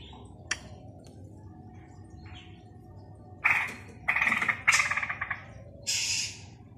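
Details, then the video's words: In Balikpapan, a straw-headed bulbul practising its song gives a few faint ticks, then a cluster of harsh, grating bursts and a final hissy, scratchy note. "Cucak Rowo Belajar Bunyi"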